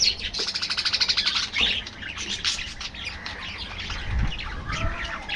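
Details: Budgerigar colony in an aviary: it opens with a fast, regular train of buzzy pulses, then gives way to mixed chirps, squeaky whistles and soft chattering from several birds.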